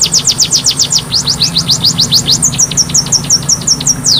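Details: Masteran song of an Oriental magpie-robin (kacer): quick, high, falling whistled notes repeated steadily, switching midway to shorter flat notes that end in a long downward slur, with a faint low hum throughout.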